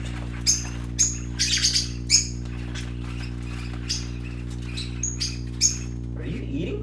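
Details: Baby parakeets at play: a run of high, clipped chirps, busiest early on and thinning out later, with a steady low hum and a brief human voice at the end.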